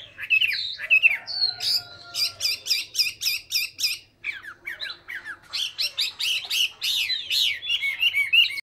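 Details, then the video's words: Energetic Hwamei song from Hà Nội, Vietnam: slurred whistles, a rapid series of stuttering repeated notes, then strongly modulated downward-sweeping phrases in quick succession. "chim họa mi"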